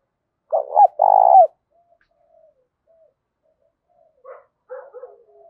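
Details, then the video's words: Spotted dove, thổ voice with a hint of đồng, gives a close doubled coo followed by a longer rolling coo, then quiet with a few faint distant notes trailing afterward. "cu gáy giọng thổ pha tí đồng"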